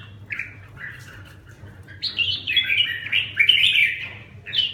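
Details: A kept red-whiskered bulbul in recovery training gives soft chirps at first, then a louder run of quick, bubbling, warbled notes that climb and dip, against a constant low background hum.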